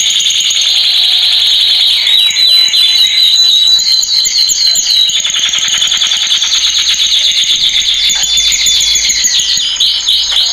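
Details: Loud training song of a male canary: long, dense, rapid rolling trills and buzzy tours that shift in pitch, with thin sustained high whistles running underneath.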